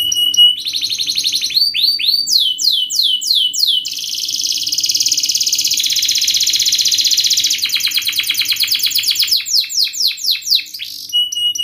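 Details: Fast, tight canary song meant as a tutor for young canaries: sequences of falling whistled sweeps, a loud dense buzzing trill, then quick rattled notes and more downslurred whistles.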